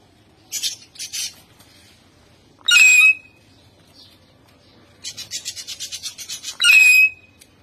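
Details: Captive common hill myna, a talking bird, giving harsh, rasping chatter in quick bursts, twice ending in a loud, clear whistle that drops and then holds steady; no other sounds intrude.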